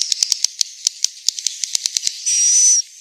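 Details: Swiftlet in Central Sulawesi, roosting sound: a quick irregular run of crisp clicks for two seconds, followed by one short high buzz with a faint whistled line, then a last click.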